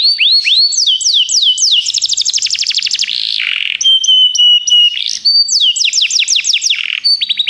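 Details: Canary song meant for training young singers, loud and varied, with repeated falling whistles, fast trills, a rasping buzz and clear steady whistles.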